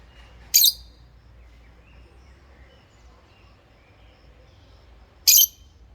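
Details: A pair of rosy-faced lovebirds chirping: two sharp, high, screechy notes about five seconds apart with near silence between them.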